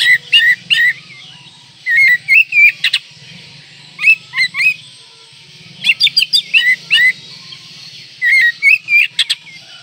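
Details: Oriental magpie-robin in breeding condition, singing richly varied phrases meant to provoke rivals: bursts of bright whistled notes with sharp chirps, coming in groups about every two seconds over a low steady hum.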